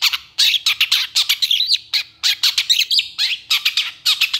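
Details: Dense, rapid bursts of harsh, scratchy chirps and squawky notes from a long-tailed shrike, delivered almost without pause in a hurried, jumbled stream.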